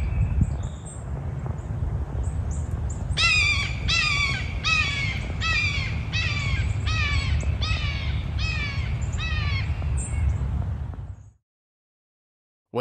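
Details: Red-shouldered Hawk in a rapid series of about eight harsh, harmonic, descending screams, given in breeding season or when defending territory, with faint high chirps before and steady low background rumble, then sudden silence.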